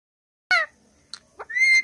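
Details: Indian ringneck parrot: a harsh descending harmonic call, two brief squeaks, then a long level whistle to finish.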